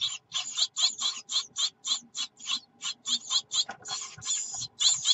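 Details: Nestling great tits beg loudly at feeding time as the mother comes with food, June: dense, hissing, rasping bursts nearly three per second, almost continuous, with little other sound.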